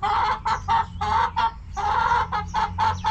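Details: Loud, close clucking from backyard hens: harsh, buzzy bursts in quick succession with short gaps, some bursts longer and grating.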